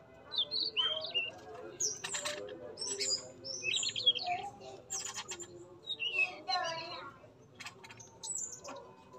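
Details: Male yellow-rumped flycatcher (sikatan emas), tame, singing vigorously in a breeding cage: varied high chirps and short whistled phrases in bursts, with lower calls of other birds mixed in.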